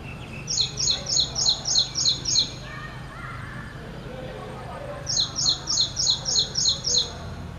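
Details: Ashy prinia, also called ashy wren-warbler, singing two bursts of about seven rapid, high, sharp repeated notes, a pause of nearly three seconds between them, over a low steady background hum.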